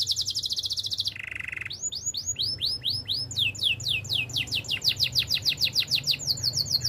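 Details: Training song of a Spanish Timbrado canary: a rapid high trill, a lower rolling rattle, then long runs of quick repeated swooping whistles speeding into a fast series; faint low hum.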